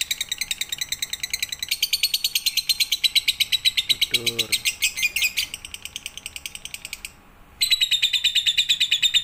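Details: Lovebird tutor-song recording meant for night use: long run of fast, scratchy chirps pulsing steadily, briefly joined by a short low nasal squeak midway, then a pause and the rapid chatter resumes.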